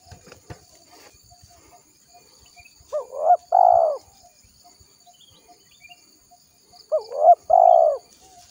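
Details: Spotted dove, a lure recording meant to call wild doves in: two cooing phrases about four seconds apart, each a short rising note, a hooked coo, then a long level coo. The background is otherwise quiet.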